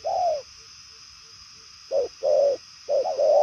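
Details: Spotted dove, 'đồng son chân tím' type, cooing in 'bài lối' style: one falling coo, a quiet gap of over a second, then a rapid cluster of short and longer coos.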